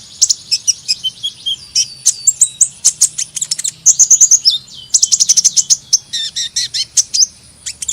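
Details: Hummingbird song: a dense run of very high, thin, squeaky chirps and sharp ticks, fired in quick bursts almost without pause across the whole stretch. A faint low hum sits underneath.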